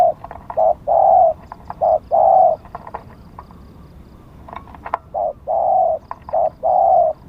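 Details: Spotted dove used as a lure for wild doves, bearing lucky plumage marks; rhythmic hoarse cooing in two phrases of short and long notes separated by a brief quiet gap, soft clicks throughout.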